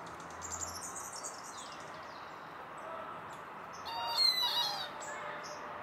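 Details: A purple gallinule gives a brief burst of sharp, nasal, cackling calls near the end, after some faint high chatter over a steady background hiss.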